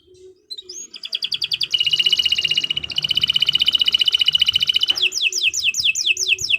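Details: Canary in lively, sustained song for training other birds: a single rising note, then a long rapid pulsed trill, ending in a series of falling whistled slurs.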